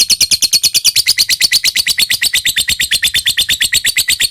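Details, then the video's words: Long ngekek trill of a lovebird, a lure recording meant to make lovebirds reply: fast, even, shrill pulses, roughly eight a second, rising slightly in pitch after the first second. "suara lovebird gacor ini SANGAT DI REKOMENDASI untuk MENJADIKAN lovebird gacor NYAUT NGEKEK PANJANG"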